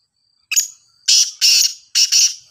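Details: Black francolin, locally called kala teetar and described as a Sindhi type that calls very well: a short harsh note, a pause, then a loud grating burst of three rasping notes, the last split in two, in silence.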